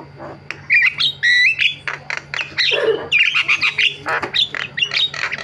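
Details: Loud varied singing from a Javan myna (jalak kebo): clipped whistles and squeaky notes mixed with harsh squawks and a low nasal croak, delivered in rapid bursts over a faint hum.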